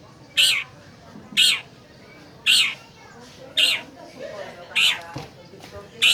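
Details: Long-tailed shrike lure for a caged bird reluctant to sing: loud harsh rasping notes repeated roughly once a second, six in a row, over a quiet background.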